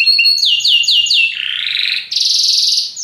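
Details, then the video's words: Belgian canary song, very powerful: a series of descending whistled slurs, a lower rolling buzzy trill, then a sudden high, fast trill. "belga canário encantador, canto muito poderoso"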